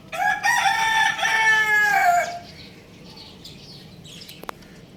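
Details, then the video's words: Young rooster giving a single drawn-out crow of about two seconds. The crow is harmonic, slightly squeaky and wavering, and is followed by quiet background hiss with a brief click. "Adorable Young Rooster Chirping Sounds"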